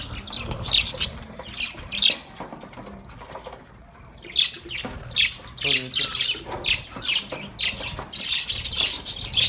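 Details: Pet budgies playing in a cage give bursts of sharp, high chirps and squawky twitters with a short quieter lull midway, then rapid chatter resumes.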